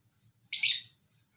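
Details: One-year-old female albino cockatiel, adopted, once shy and now affectionate, gives a single short, harsh, high-pitched chirp during snuggle time.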